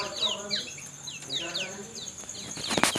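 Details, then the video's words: Lemon-bellied white-eye, very tame and free outside its cage, giving short high chirps that slide downward, repeated in quick bursts over a steady high hum, ending with a sharp bang. "kecial kuning super jinak di luar sangkar"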